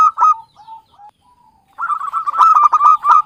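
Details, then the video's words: Javanese local zebra dove trapping lure: a few sharp coos and soft murmurs, then a dense burst of rapid, loud cooing notes. "SUARA BURUNG PIKAT PERKUTUT LOKAL JAWA Pancingan buat pemula"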